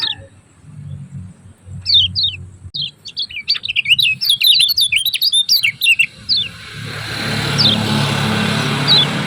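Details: Lemon-bellied white-eye (kecial kuning), Lombok, ciak ciak chatter meant as a masteran lure: a few scattered high descending notes build into a dense burst of rapid squeaky chirps, then give way to steady hiss with two faint notes.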